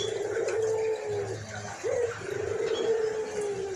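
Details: White collared dove, described as gacor (in full, frequent voice) with a hoarse voice, giving long, low, drawn-out coos. A short rising note sits between two sustained notes. The setting sounds like a small indoor room.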